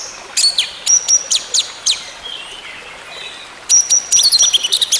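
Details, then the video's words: Orange-headed thrush song intended to bring a silent bird gradually back into full song. Short sharp chirps repeat irregularly, then a long, fast, high twittering phrase with whistled notes follows, set against a faint hiss. "TERAPI ANIS MERAH MACET BUNYI, BERTAHAP KEMBALI GACOR"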